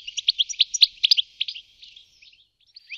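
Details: European goldfinch, also called distelfink, recorded in Wittlich in 2018: a quick run of bright, tinkling chirps and twittering notes, about three to four per second, fading into softer scattered notes toward the end.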